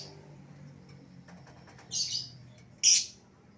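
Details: Lovebird lure call for an escaped bird: two harsh, rasping squawks about a second apart over a low background hum.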